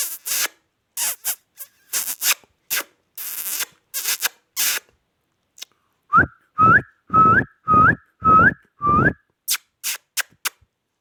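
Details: Indian ringneck parakeet kept as a pet: after a stretch of clattering knocks, six short rising whistles follow evenly about once every half second, then more knocking.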